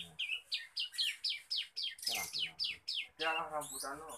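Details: A young male Bar-winged prinia, still learning to sing, gives a fast run of sharp, high, down-slurred chirps, about four a second, as a man's voice talks over the later notes.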